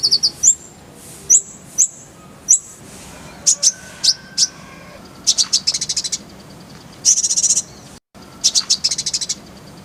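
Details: Brown-throated sunbird, locally konin or kolibri ninja, as tutor song: a row of high, sharp chips first, then scratchy, rapid chattering trills and twittering bursts, with a short silent break near the end.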